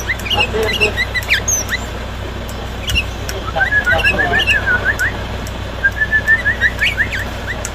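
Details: Loud song of a six-year-old sooty-headed bulbul: scattered bursts of short chirpy whistled notes, some in quick rattling runs, separated by pauses, with a low hum and faint voices behind.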